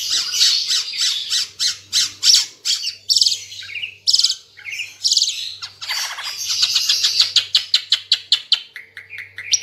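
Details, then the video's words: Vigorous Ara Timor bird song meant for training caged songbirds: fast runs of sharp, high chattering notes, buzzy trills and short rising whistles, nearly continuous, with a faint low hum underneath. "Burung Ara Timor Gacor | masteran"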